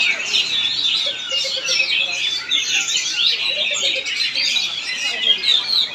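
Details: Steady, busy chattering and whistled trills from a caged Oriental magpie-robin in Palangkaraya, Central Kalimantan, with faint background voices.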